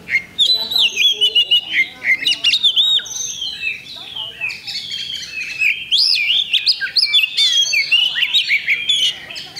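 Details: Contest Oriental magpie-robin, recorded 8 October 2020, singing continuously: bright whistled swoops, clipped chirps and fast trills crowd together with barely a break, loud and rich throughout.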